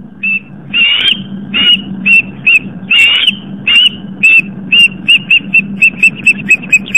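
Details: Osprey at a live-cam nest on Long Island, New York, around 7:50 pm as the female chases an intruder off the nest: a series of clear whistled chirps, speeding up toward the end, over a steady low hum.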